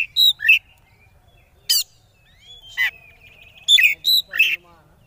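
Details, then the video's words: Kacer, the oriental magpie-robin, singing konslet-style as a lure for rival birds: short twisted whistles and raspy bursts come in irregular clusters, and a faint wavering whistle runs between the louder notes. "Suara Pancingan Kacer Konslet Ngeplay Jamin Lawan Ikut Konslet"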